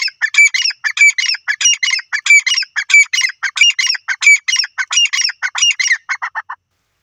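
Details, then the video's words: Calling francolin (teetar): a rapid, steady run of rasping, squawky bursts with a short whistled element, repeated for over six seconds, then fading into a few lower, softer notes before silence. "peasant teetar bird top sound francolin awaz"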